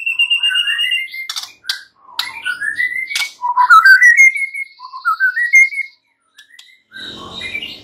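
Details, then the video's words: White-rumped shama song meant to rouse a silent shama: a held whistle, clicks, then series of rising slurred whistles climbing in steps, followed by quiet low rustling. "Murai batu BISU diJAMIN NYAUT GACOR dan FIGHTER"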